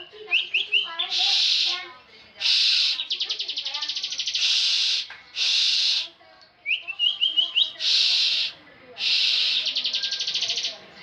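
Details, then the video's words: Contest-winning bar-winged prinia in full ngebren song, mixing short stuttering notes, rising slurred whistles and loud buzzy bursts, repeated in quick succession over eleven seconds. "Ciblek ngebren full"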